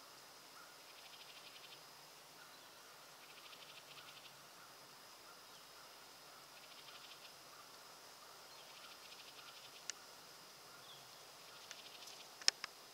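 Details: At Roxbury Park, Meggett, South Carolina, a house wren gives faint, rapid rattling chatters about a second long, repeated every two to three seconds, over a steady high insect hum and a few clicks.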